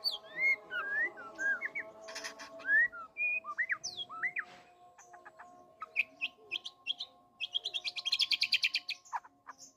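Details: Courting white-rumped shama delivering all its fill-ins: loud looping whistled slurs, then scattered sharp ticks and a fast buzzy rattling burst, with a constant faint hum behind.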